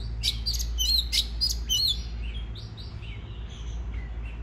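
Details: Oriental magpie-robin song used to stimulate other birds to sing: harsh buzzy bursts alternating with clear whistled, warbled phrases in the first half, then softer sliding whistles fading out over a steady low hum.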